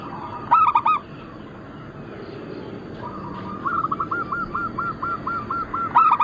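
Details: Zebra dove, a local bird of Bangkok-cross stock, used for lure and training. A loud stuttering coo opens, then a fainter dove gives a long evenly pulsed run of notes before another loud phrase ends it.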